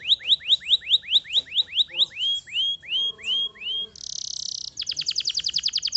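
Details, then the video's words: Canary song opening with a long run of quick rising whistles, slowing into drawn-out slurred notes, then a short buzzy burst and a rapid clicking trill. "bon canari .. tournez une fois que le canari sonne !!!"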